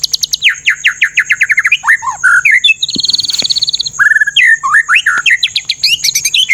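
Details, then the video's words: White-rumped shama master recording full of rough rapid-fire phrases: fast series of descending whistled slurs, a long buzzy rattle of repeated high notes, then varied swooping whistles and chips, with a steady faint high electronic tone behind. "MASTERAN MURAI BATU FULL ISIAN TEMBAKAN KASAR"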